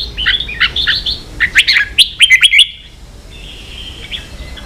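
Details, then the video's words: Ché-style song of red-whiskered bulbul used in training young birds: a rapid burst of bright warbled whistles, then a sharp chirping series, fading into a soft drawn-out whistle. "luyện chào mào ché.kích chào nào hót ché căng lửa.kich chao mao boi hot เสียงฝึกลูกนก | นกปรอดหัวโขน"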